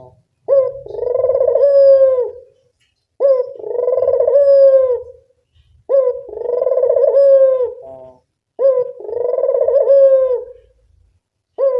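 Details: Spotted dove, a local bird, used as a lure: four clear, deep coo phrases spaced about two and a half seconds apart. Each opens with a brief upward note, then a drawn-out, quavering coo that fades. Quiet gaps fall between phrases.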